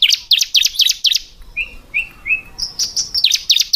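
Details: Female ciblek, or bar-winged prinia, gives clusters of high, sharp chips, then three lower short slurred notes, then more rapid piercing chirps.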